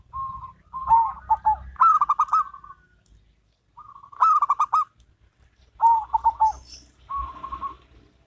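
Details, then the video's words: Local and crossbred zebra doves sing in duet: repeated rolling coo phrases with quick pulsed notes, several overlapping bursts spaced by brief silences over low background rumble. "Perkutut Lokal VS Perkutut Crossing"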